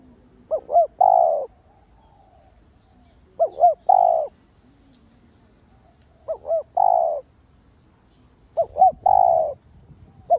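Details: Lure spotted dove calling to stimulate rival doves: four phrases at uneven gaps of two to three seconds, each a pair of short rising hoots leading into a drawn-out low coo, with a faint background hum.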